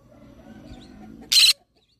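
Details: Green-cheeked conure parrot giving a single loud, harsh, noisy screech lasting about a quarter second, after a stretch of quiet low background hum.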